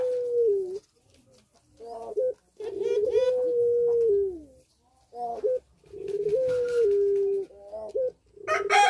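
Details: Puter pelung dove kept in a cage, in breeding condition and singing actively: several drawn-out low coos, some falling at the end, broken by short stuttering notes and gaps, with a faint voice and a sharp noise at the end.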